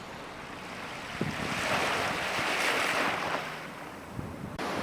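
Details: Wind gusts and breaking surf swell and fade, with a few knocks, and no animal voices.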